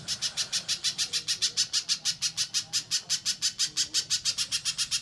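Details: An energetic little spiderhunter, recorded for use as a lure, sings a fast, steady string of high, sharp notes, about six per second, with nothing else heard.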